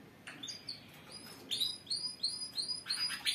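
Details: Canaries singing as a group for stimulation: a series of repeated upward-curving whistled notes roughly three per second, quiet at first then louder, over faint background chirps.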